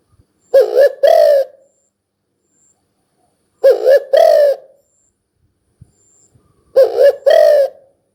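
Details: Spotted dove giving loud, hollow two-part coos, a short note then a longer one, repeated in three bouts about every three seconds, with quiet pauses between.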